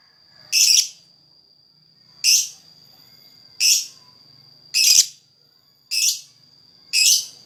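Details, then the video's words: Lakbet singing to lure other birds: six short, harsh, high-pitched chirping bursts, evenly spaced about every 1.2 seconds. A thin constant high tone hums between the bursts. "Burung lakbet, gacor buat pancingan suara lakbet"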